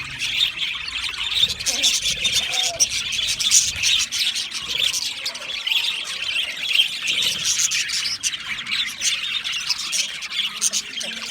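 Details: Budgerigars keep up softer, continuous flock chatter, with high chirps and scratchy warbles overlapping evenly and no single call standing out for long.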